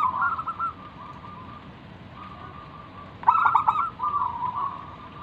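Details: Local wild-type zebra dove in lively song, used as a lure to draw other doves into answering and singing: soft rippling, quavering coos in short phrases, a pause, then a louder trilled burst followed by gentler rolling coos.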